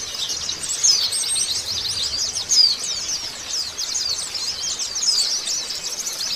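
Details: After moulting, a white-eye pours out a steady, very high chattering warble of quick chirps and short trills, rising and falling slightly in loudness.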